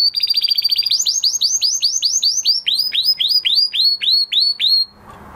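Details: After moulting, a male canary delivers a rapid trill followed by a rolling series of clear, downward-curving whistles, roughly four each second, ending abruptly with faint room noise.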